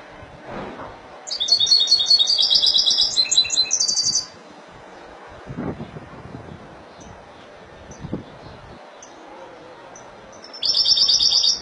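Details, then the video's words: Spanish European goldfinch, Malaga song style: a fast, liquid twittering phrase of about three seconds, then quiet with soft clicks, and a new burst starting at the end. "لعشاق تغريد الحسون الاسباني ( مالاقا)"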